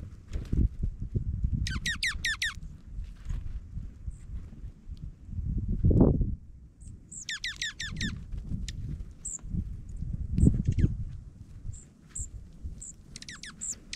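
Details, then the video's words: Dark-eyed juncos feeding during a Minnesota snowfall: quick runs of very high, sharp chips sliding downward in rapid series, plus scattered single high ticks, over a constant low rumble and occasional swelling whooshes. "Chatty Juncos in Snow"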